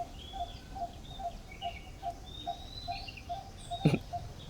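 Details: Probably a Coppersmith Barbet, in a setting with ants, gives a steady, low, hollow 'tuk' about two or three times a second, with higher chirps and whistles from other birds over a low rumble and one sharp knock.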